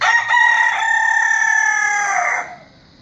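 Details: A rooster crowing, one loud sustained crow with a short opening note and a long, level, harmonic-rich drawn-out tail that ends abruptly after about two and a half seconds.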